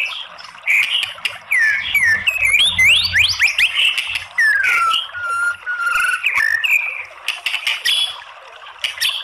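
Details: Lure recording of a female white-rumped shama meant to make other shamas sing: sharp upward-sweeping whistles in quick runs, a long gliding descending note, scattered clicks and brief pauses between phrases.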